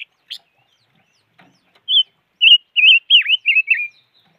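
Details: Five-coloured bird (chim ngũ sắc) giving a series of about six loud, quavering whistles with short gaps between them. The notes wobble up and down, and one dips sharply in the middle. A sharp tick comes first, and the background is quiet.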